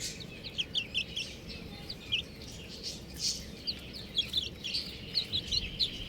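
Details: Buff chicks peeping in a steady scatter of short, high, downward-slurred chirps, several birds overlapping at an irregular rate against a soft, constant background hiss.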